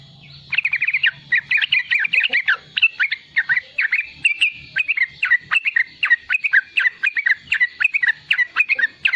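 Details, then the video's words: Yellow-vented bulbul, a young persistent singer, in riwikan song used to prompt and tutor wild-caught and nestling bulbuls: nine seconds of rapid, repeated sharp chirps and chattering phrases with slight low hum early on. "Riwikan trucukan muda gacor untuk pancingan bunyi trucukan bakalan dan anakan"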